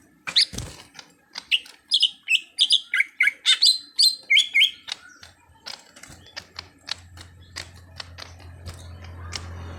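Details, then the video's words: Greater green leafbird (cucak hijau), a raw bird on its way to confident song: a lively run of slurred whistled phrases for about four seconds, then only faint clicks and a low hum. "Pandai Membuat Cucak Hijau Bahan jadi Gacor"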